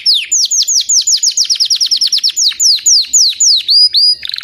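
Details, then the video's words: Singing white crested Belgian canary: a loud series of sharp downward-sweeping whistles, roughly four per second, slowing slightly toward the end and finishing with a short rattle. "Canário belga branco de topete cantando"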